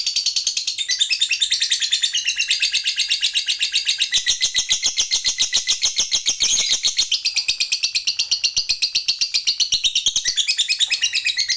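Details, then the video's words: Lovebird fighter keeping up a long chattering ngekek panjang to provoke rivals: dense high rasping pulses, rapid and continuous across nearly twelve seconds, with only slight shifts in pitch. "Suara Lovebird ini Paling Bagus Buat Pancingan Lawan EMOSI Ngekek Panjang"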